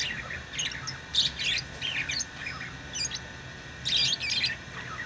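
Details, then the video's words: Bursts of harsh, twittering lovebird chirps in two main flurries, separated by quieter scattered squeaks, with a low hum throughout. "Love birds beautiful Love ❤️ | chirping sounds | parrot beautiful sounds"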